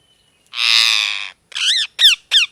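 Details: Parrot letting out a long, rough screech lasting nearly a second, followed by three shorter harsh chirps that rise then fall in pitch.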